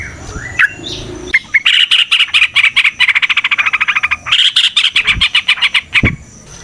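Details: Trucukan (Yellow-vented bulbul) in long rapid song used to lure other trucukan: a few slurred calls, then an extended fast chattering trill of many even notes, briefly broken and resumed.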